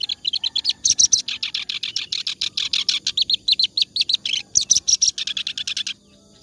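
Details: Sustained clamorous reed warbler song, presented as tutoring material for other songbirds: an unbroken stream of harsh, grating chirps, several per second, with a few thin piercing whistles, then a short break near the end.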